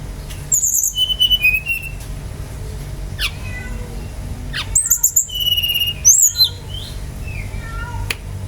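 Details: Lively Brown-chested jungle flycatcher song meant to coax other birds into singing, with clear high whistles, a level sustained note, quick twittering clusters and a few softer falling notes later on.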